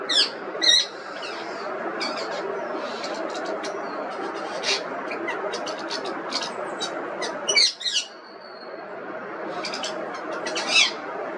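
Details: Busy, irregular chatter of clicks, short squawks and high squeaks from an Indian ringneck parrot (rose-ringed parakeet), with a few louder harsh squawks at the start, middle and end over constant background hum.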